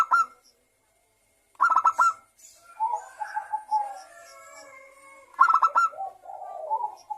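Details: Lure song of a zebra dove meant to set other local and Bangkok doves singing. Sharp stuttering note clusters alternate with longer low warbling coos, with brief quiet gaps between phrases.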